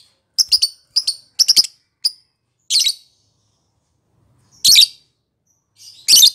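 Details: Lovebird described as a world champion singer gives scattered bursts of sharp, high, twittering chirps, some in quick pairs or triplets, separated by short silences.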